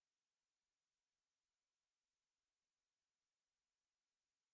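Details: Near-total silence with only a faint, even background hiss throughout.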